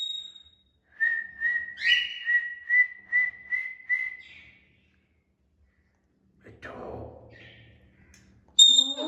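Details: Indoor pet Indian ringneck parakeet whistling a string of short level notes, about two per second, one swooping upward, then a silence and a burst of harsh scratchy noise with a sharp high note at the end.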